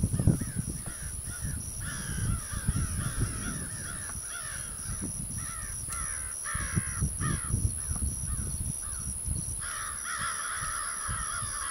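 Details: American Crows soaring give harsh, nasal caws, short and repeated in loose series, over heavy wind rumble and a faint steady high whine.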